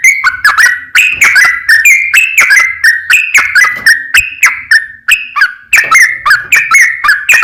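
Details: Long rapid 'ropel panjang' trucukan song used as a lure for other bulbuls: a dense, fast stream of clear, slurred whistled notes, some rising and some falling, with only short pauses.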